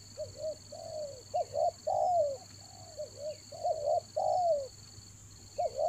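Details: Rainy-season lure calling of a spotted dove: rhythmic series of short paired coos and longer sliding coos, repeated about every two seconds, with a steady electronic tone in the background.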